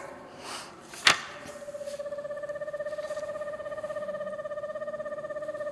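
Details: Indoors in a small room, a sharp knock is followed by a steady electronic telephone ring: a sustained buzzing tone with even overtones that continues to the end. No animal voice is heard.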